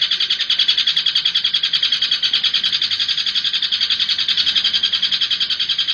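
A Long-tailed shrike pours out a fast, shrill chattering song, about three or four notes per second, high and unbroken throughout.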